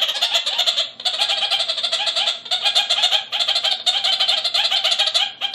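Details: Male red-crowned parakeet in an aviary chattering at the male in the neighbouring aviary: loud, harsh, rapid bleating chatter in long bursts of fast repeated notes, with brief pauses between runs.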